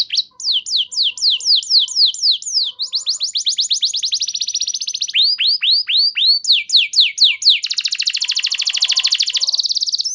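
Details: Canary song intended to draw responses from other canaries: repeated falling whistles, rapid trills, slower rising whistles, ending in a dense high buzzing trill.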